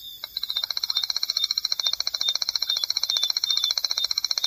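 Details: Striped Crake, a shy crake of marsh and seasonally flooded grassland, giving a long, dry, high-pitched trill: rapid, evenly spaced ticking notes running without a break for over four seconds.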